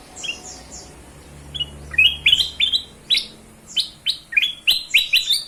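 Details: Lively ruby-throated bulbul song, used as a lure to set other birds singing: high descending chips, then a fast string of loud rising whistled notes, some twelve in three seconds, over faint low hum.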